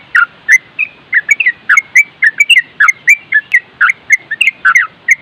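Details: Yellow-vented Bulbul tutor song in nropel style, a dense run of bubbly, warbled whistles about three to four notes per second, some rising and falling slurs, sustained with hardly a gap.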